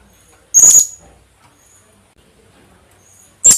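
Philippine hanging parrot giving two shrill, very high squeaky notes about three seconds apart; otherwise quiet.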